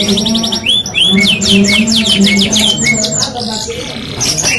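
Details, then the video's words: F1 canary singing vigorously: loud, rapid trills of high sweeping notes, fast repeated rolls and chirps running continuously, over a steady low humming background. "Kenari F1 Gacor"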